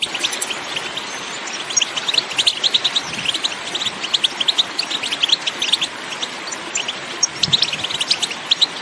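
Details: European goldfinch song and calls in the countryside, for stimulating other goldfinches to sing: thin high twittering phrases over a steady background hiss, clearer after two seconds.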